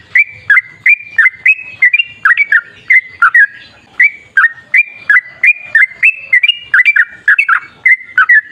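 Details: Sooty-headed bulbul delivering a long, rapid-fire, forest-style song meant as a lure to make bulbuls sing: a steady, unbroken stream of short, chattering, whistled notes that dip and rise, repeated for over eight seconds.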